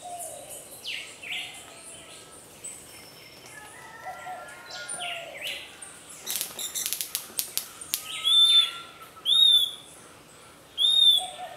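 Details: Puerto Rican flycatcher in Puerto Rico defending its nest against an egg-raiding pearly-eyed thrasher: a jumble of wing flutters and sharp snapping noises from the attacks, then short, clear, arched whistles repeated near the end.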